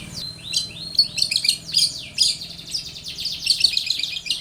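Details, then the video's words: Long-tailed shrike in full, lively lure song. Continuous high chattering and twittering, with quick trills and downslurred notes run together, over faint low hum. "SUARA cendet Gacor full varian pancingan cendet agar bunyi"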